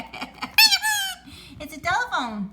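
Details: Male pet Indian ringneck parakeet, a talking bird, imitating a telephone ringtone, his famous "dring dring": two loud, bright, slightly falling ringing notes about a second apart, with a person talking and laughing softly nearby.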